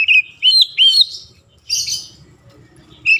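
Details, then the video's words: Oriental magpie-robin song used to provoke other magpie-robins into singing: loud, high whistled notes with sweeping upturned slurs, in quick bursts separated by short pauses, plus one rougher scratchy phrase. "KICAUAN PEMANCING KACER LAIN LANGSUNG MEMANAS"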